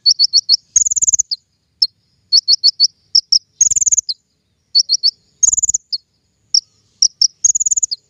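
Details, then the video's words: King konin lure song for bird trapping, with quick groups of three or four high, sharp chirps alternating with brief rattling trills, repeated about every two seconds. "PIKAT KING KONIN SUARA PANCINGAN"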